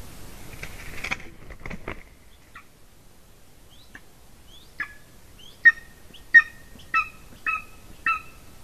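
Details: Female golden eagle at a nest in Latvia, 30 January 2019 around 14:24, jumping onto the nest camera. A burst of rough clattering noise at the start, then a series of short, sharp, two-toned yelps about once a second, growing louder.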